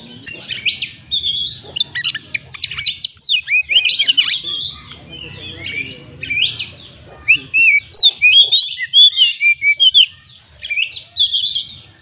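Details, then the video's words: Oriental magpie-robin lure song for stressed birds: long, busy warbling of varied chirps and buzzy twitters, later broken into a run of clear, evenly spaced whistled notes, with a faint low hum beneath. "Terapi kacer stres langsung gacor dengan pancingan suara burung kacer ini"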